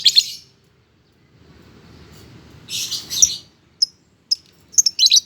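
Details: Lovebird singing busily, a shrill high chirp burst at the start, a denser harsh cluster after a short lull, then quick sharp single chips closing into a rapid chattering flurry; faint low hum underneath.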